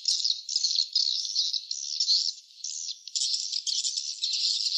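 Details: Swiftlets calling at their nests in bursts of shrill, rapid twittering, broken by short lulls before the chorus resumes louder.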